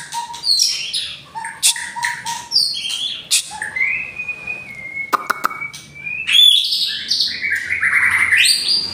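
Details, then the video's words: Murai batu, the white-rumped shama, in Indonesia: varied whistled song with repeated lower notes, a long steady whistle, a few sharp clicks, then a burst of rising, tumbling high phrases. "Murai Batu seri F kena tembakan Murai Asli hutan...."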